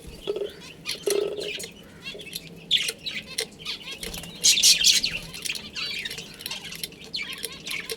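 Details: Budgerigar colony with a breeding pair, kept as pets: dense overlapping chirps and scratchy chatter, with bursts of harsher squawks and a short lower grating note near the start.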